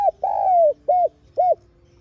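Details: Spotted dove lure call for urging other doves to coo: a drawn-out, gently falling coo followed by two short, rounded coos, evenly spaced and mellow, in a quiet setting.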